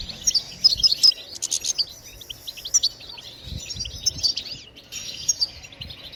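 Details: Goldfinch song, batbatat style, used to encourage birds to sing: thin, high tinkling notes and quick buzzy flourishes in bursts separated by brief pauses.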